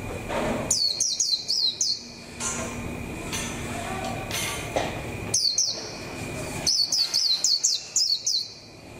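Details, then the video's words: Caged decoy white-eye getting into form for the 2021 season: quick volleys of very high, sharply downslurred whistled notes, four or five per burst, separated by quieter gaps with faint background hum. "khuyên mồi bắt đàu có tí củi lửa để vào mùa năm 2021"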